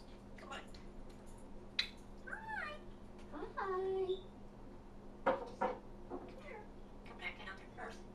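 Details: Pet African grey parrot talking indoors: mimicked speech-like phrases with bending, warbling tones and short sharp whistles, over a steady low electrical hum.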